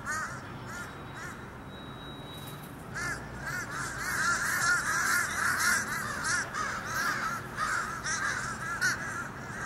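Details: Fish crows gathered as a mob in October: after a quieter start with a thin steady tone, many short nasal caws pile up and overlap continuously for the rest of the stretch.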